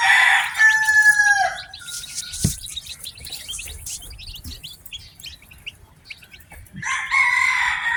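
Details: Newly hatched chicks give bright, piping chirps, short falling notes from many birds at once. Loud drawn-out calls from an adult chicken open and close the recording.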